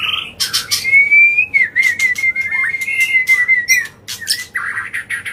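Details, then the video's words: White-rumped shama singing in an agitated, continuous way to provoke other birds, one long level whistle drawn out for several seconds amid sharp chips and rasping bursts. "Pancingan Murai Batu Emosi, Gacor Nonstop 24 Jam❗❗ AUTO Buka Paruh Langsung Ngamuk"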